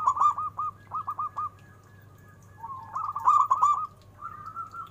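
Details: Big-voiced local zebra dove: clusters of three or four quick, dipping coo notes, a pause, then a rippling, rolling phrase and a drawn-out coo, over low hum.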